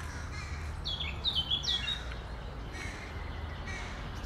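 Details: Crow giving a short run of harsh, high caws with rising and falling notes clustered together, then fading into quiet outdoor background with faint low rumble.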